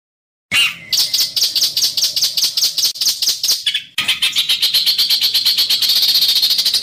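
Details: Bird song recorded as a training master with harsh, rapid 'tembakan' bursts: dense high-pitched strokes repeated roughly twice a second, a brief break near four seconds, then an even faster buzzy rattling series.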